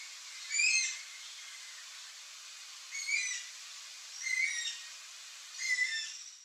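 A yellow-headed caracara gives four harsh, hoarse screeches, each slurring downward, spaced one to three seconds apart over a steady background hiss.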